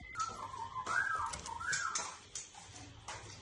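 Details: White-rumped shama singing a run of clear whistled notes near the middle pitch range, some sliding and wavering, with short gaps and soft clicks between phrases.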